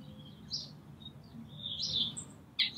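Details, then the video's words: Brambling at Green Moor, 24 March 2019, calling and singing: a few scattered high chirps, then a drawn-out buzzy, wheezing note and a sharp final chirp over a faint low hum. "Brambling Calling/singing"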